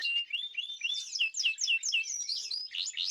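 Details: Caged birds singing together, recorded 2026/03/14: a dense, unbroken chorus of overlapping high chirps and short whistled slurs, the voices tumbling over each other without pause.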